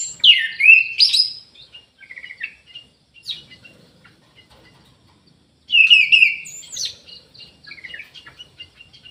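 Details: Orange-headed thrush in lively song, a rich tumbling phrase of slurred whistles and chattering notes, then scattered soft twitters, before a second rich phrase about five seconds later.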